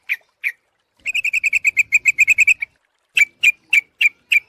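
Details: Sooty-headed bulbul calling to lure birds: two single chirps, a steady run of about fifteen quick, even notes, then five louder spaced calls.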